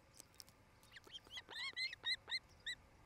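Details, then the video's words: Osprey nest in Charlo, Montana, recorded by camera on 8 July 2018 late afternoon: a run of short, arched high chirps that grow louder, about four each second, over quiet background noise. "Osprey Nest"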